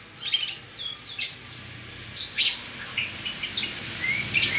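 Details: A white-rumped shama gives scattered whistled notes, some rising and some falling, broken up by short rasping chips and bright sharp accents, with short pauses between phrases.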